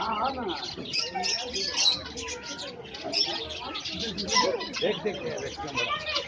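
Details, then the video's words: Several lovebirds chatter nonstop, a dense jumble of shrill, squeaky chirps and harsh twitters overlapping with no pauses. "sound of love birds"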